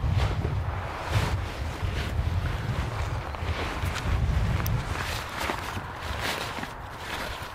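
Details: Strong wind buffets the microphone in the mountains with a deep rumble and gusty hiss, and no animal voice stands out.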